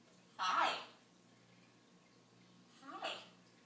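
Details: Dozer, a male pet blue-and-gold macaw that sings and talks, gives two short, raspy, speech-like utterances such as "hello" about two seconds apart, over a steady low indoor hum.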